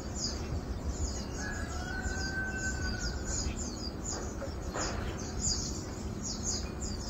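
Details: Asian glossy starlings on 4 August 2022 give rapid, sharp high chirps throughout, with one drawn-out level whistle, over steady low rumbling background noise.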